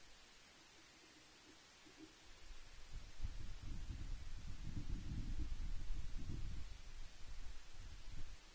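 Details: Low rumbling wind and rustling at an osprey nest on Loch Arkaig, growing louder halfway through, with no calls heard.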